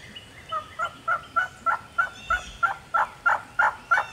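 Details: Solitary wild turkey hen in the Georgia turkey woods, fired up and calling back; a clean, regular series of about eleven raspy yelps, roughly three per second, loud and evenly paced.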